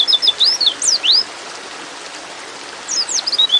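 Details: Female white-eye in breeding mood calling a male: a short burst of high, thin, swooping chirps, a pause of almost two seconds, then a few more quick slurred notes.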